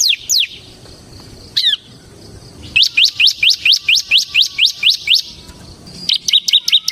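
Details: Bar-winged prinia, a semi-crystal type used as a lure and tutor for cage birds: scattered sharp notes, then a steady run of about fourteen quick downslurred chips, ending with faster rising notes.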